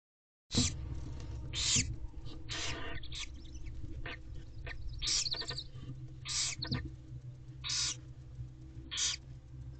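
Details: Barn owl owlets, five young, in a nest box with their tired mother, filmed at 10:15 am on 4/12/23: harsh, broadband hissing screeches about one second long, repeated irregularly, with soft shuffling and scratching between them.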